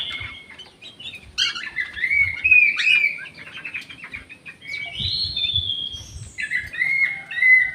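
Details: Orange-headed thrush singing in an aviary, recorded as therapy for birds reluctant to sing. Varied clear whistled phrases, some with sliding notes and some with trills, follow one another rapidly over a faint low background rumble.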